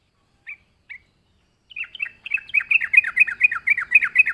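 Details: Yellow-vented Bulbul in lively song, used as a lure to draw other birds: two short separate chirps, a pause, then a fast run of bright, bubbling chirped notes repeated about twice a second.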